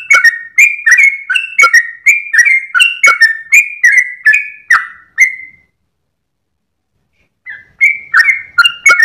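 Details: Sooty-headed bulbul in long 'ropel' dawn song, tail wagging, used to tutor cage birds: quick fluty two-part whistled phrases tumbling over each other, then a pause of nearly two seconds before the bubbly notes resume.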